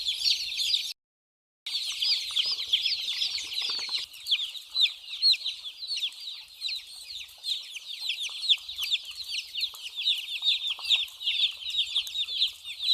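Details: Baby chicks at play and drinking produce a steady stream of thin, high chirps, many overlapping downward slurs; the sound cuts out briefly near the start, then resumes without pause.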